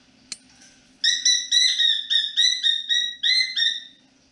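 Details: Pet cockatiel whistling indoors in the evening: a quick run of about eleven clear, slightly rising whistled notes with strong overtones, each lasting a fraction of a second, preceded by a single faint click.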